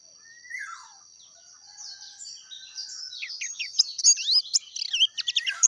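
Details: Dakun oriental white-eye in clear natural voice: soft, thin high notes at first, then building into a quick burst of bright twittering chirps and slurred whistles near the end over a steady faint high hum.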